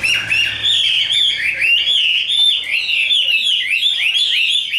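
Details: Tame, heavy-set caged Chinese hwamei performing a fighting display, its song a fast, continuous chain of loud whistled slurs and trills, each phrase bending up then down.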